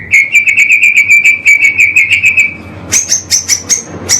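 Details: White-rumped shama (murai batu) on a 'pastol' master track for training caged birds: about two and a half seconds of evenly pulsed bright notes, then a slower series of very high, thin whistled notes.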